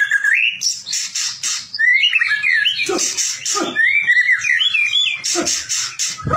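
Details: White-rumped shama used as a prompt bird to make other shamas sing eagerly for contests; whistled warbling phrases and fluttering trills broken by harsh, noisy bursts, the phrases coming in quick irregular runs.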